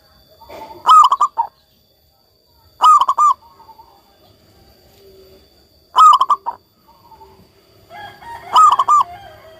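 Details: Local zebra dove in frequent song: four quick phrases of pulsed, mellow cooing, roughly every two to three seconds, with fainter cooing and some chirping from other birds around it.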